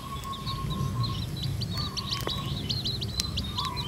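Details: Hybrid-blood red junglefowl chicks foraging naturally with a hen. Short, high, sharp peeps tick out in a fast irregular series, growing busier toward the end, with a steady insect buzz and low ambient rumble.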